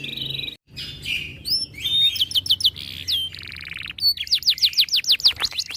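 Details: Breeding-condition canary, aggressive at the sound of other birds, pours out a varied high song of buzzy rolls, rapid trills and a closing series of quick downslurred whistles, with a short silent break early on.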